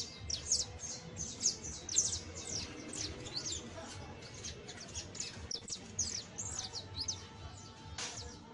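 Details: A young saffron finch giving its first songs: a rambling stream of thin, high chips, sweeps and short trills, irregular and unpolished, with a faint low hum behind.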